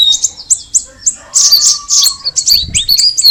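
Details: Straw-headed Bulbul (cucak rawis) singing spaced high chirps, then a dense tangle of notes over a lower steady whistle, ending with bright rising slurs repeated in quick succession.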